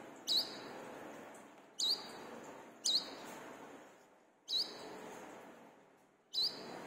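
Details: Singing brown-throated sunbird played to stir caged birds; five thin, high V-shaped chirps at uneven intervals, each followed by fading hiss.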